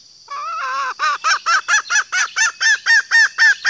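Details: Female green junglefowl lure call for attracting males: an opening drawn-out note, then a regular train of loud arched clucking notes about four per second, set against a thin persistent high hiss.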